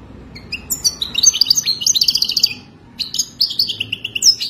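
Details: European goldfinch song for mating, played to help a captive goldfinch learn: lively, rapid high twittering with tinkling chips and a short buzzy trill, a brief pause, then more quick, scattered liquid notes.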